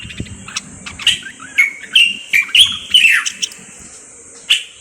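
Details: Song of a Moroccan common bulbul: a cluster of bright, bubbling whistled notes, several dropping in pitch, followed after a pause by one final sharp note, over a faint steady high hum.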